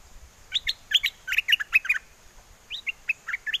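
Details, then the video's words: Bulbul singing in a cage in Chana, Songkhla, southern Thailand, in its wild forest song style to call a mate while the wind blows strongly: fast, cheerful sequences of loud liquid whistles, a brief pause, then another phrase. "Burung merbah lekir hoach thom gacor bahanan"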